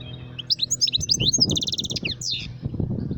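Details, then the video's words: Bright, sweet goldfinch twittering: a run of quick upslurred chips that blends into a rippling high trill, then a few falling notes, with low background rumble throughout. "Switty Goldfinch calling"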